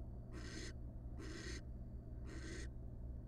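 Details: Wild barn owl in a nest box, the male having brought a huge rat the night the first nestling hatched; three loud, rasping hiss bursts about a second apart.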